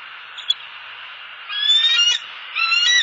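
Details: Bald eagles, a mated male and female, settling onto their Southwest Florida nest for the night on 29 November 2015; two bursts of high, thin, squealing chatter with wavering whistled tones.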